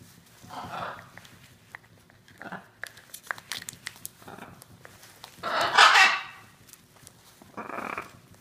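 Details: Two pet hyacinth macaws playing with each other give short, harsh, raspy squawks and growls, loudest near the middle, between soft clicks and scuffling in a small room.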